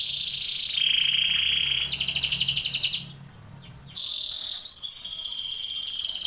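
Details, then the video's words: Belgian canary with a training song for contest: a held buzzy tone builds into a loud pulsed trill, then falling slurred whistles, a brief quiet, and renewed fast high trills. "canary training song for contest / canto Canário belga cantando"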